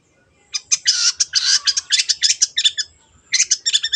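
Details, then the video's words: Long-tailed shrike in full gacor song, used as a lure to stir silent birds into singing: dense runs of harsh, buzzy broadband bursts packed together, a brief pause, then another rapid chattering burst. "CENDET GACOR PANCINGAN MENGATASI BURUNG MACET ATAU BAHAN AGAR RAJIN BUNYI"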